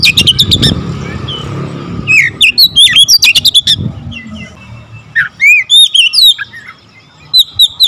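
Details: A low rumble at the start, then an Oriental magpie-robin's rapid, fast-firing song with varied fill-in phrases: clustered clicking notes, falling and rising whistles, a pause, and further looping whistles.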